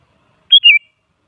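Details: Sooty-headed bulbul lure song meant to goad other bulbuls into singing: one brief two-part whistled phrase, a bright higher note sliding into a lower, slightly falling note.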